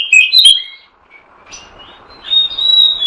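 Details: Oriental magpie-robin lure sound to attract birds: a quick burst of whistled notes, a brief pause, then a long, soft, level whistle that slowly builds.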